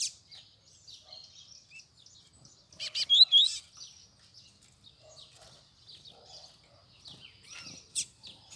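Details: Double-collared seedeater that turned up suddenly gives a short, loud burst of high slurred whistles midway. Soft chips and twitters run through the rest, with one sharp note near the end.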